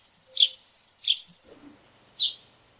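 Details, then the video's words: A house sparrow among noisy sparrows visiting a backyard garden gives three short, bright chirps, two close together and one after a pause, with a faint low rustle between them. "What Does a Sparrow Sound Like? - House Sparrow Sounds and Calls"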